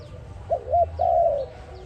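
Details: Dove coo for use in trapping, one phrase: two quick humped notes then a drawn-out trembling coo that sinks slightly at the end, over low background hum.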